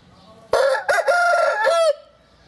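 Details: Oriental gamefowl (Hint Horoz) rooster recorded in March 2012, one of an old 4.1 kg black and silver cock and his multicoloured son: a single loud crow of about 1.4 seconds, broken into three parts, hoarse, ending in a drawn-out tone.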